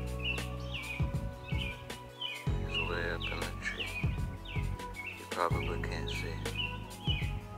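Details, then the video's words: Robins give short, high chirps and twittering notes, several every second or two, over steady background music. "listen you can hear the robins that's the sound they make"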